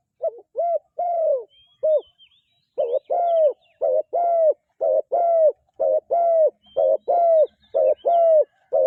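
A dove gives short, arched, mellow coos in a quick repeated series, about two notes a second with brief pauses. There are no other clear sounds.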